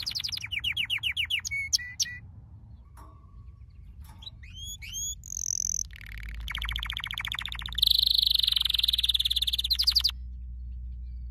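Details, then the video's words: Canary training song: a varied run of high phrases, with quick down-slurred notes, sharp rising whistles, a steady mid-pitched whistle, then buzzy rolling trills and a loud rapid rattle near the end. "Your canary will NEVER STOP SINGING With this training song"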